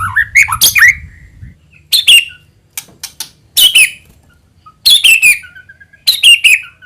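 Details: Sparse white-rumped shama lure song, meant to trigger other shamas to sing: short bursts of sharp clicks and descending whistles separated by pauses of about a second.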